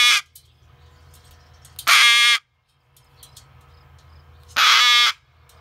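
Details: Rescue umbrella cockatoo, angry at loud construction machinery across the street, gives three harsh, raucous screams, each about half a second long and a few seconds apart, over a low rumbling background.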